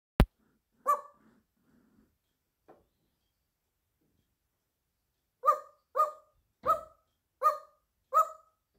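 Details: African grey parrot imitating a dog's bark: one gruff bark near the start, a faint murmur, then five short barks in a row about every 0.7 seconds, indoors, after a sharp click at the very start.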